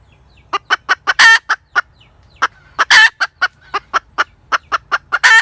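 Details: Hen cackling: a series of sharp, short clucks spaced irregularly, broken by two louder drawn-out squawking notes, over quiet low background rumble.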